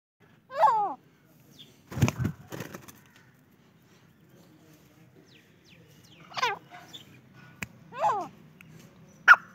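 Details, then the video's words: A francolin gives four harsh, grating calls of sliding, rasping notes, spaced a few seconds apart, with a couple of dull knocks early on. "Real Francolin voice video"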